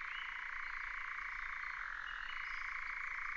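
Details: Nightjar churring in 2019, a fast unbroken reeling trill that holds steady, dips slightly in pitch partway, then rises back, with faint high bird notes above.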